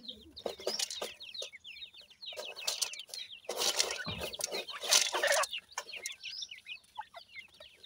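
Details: Francolin chicks, grey and painted, feeding; a steady chorus of short high downslurred peeps, about three a second, with bursts of rustling noise in the middle.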